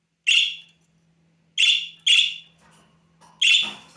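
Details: Budgerigar nestling at the middle stage, a pet calling for attention: four loud harsh squawks, two in quick succession, with soft chatter and a rustling noise near the end.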